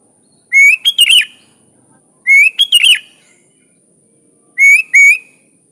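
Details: Sooty-headed bulbul singing in natural style, used as a master song for training other bulbuls: three bright phrases about two seconds apart, each a rising whistled note followed by quick warbled, bubbling notes, with no other sounds.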